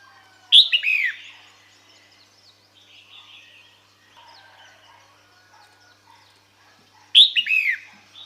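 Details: Female red-whiskered bulbul calling males to come to her, giving two bright phrases about six and a half seconds apart. Each is a sharp note followed by quick downward-slurred whistles, with faint bird chirps in between.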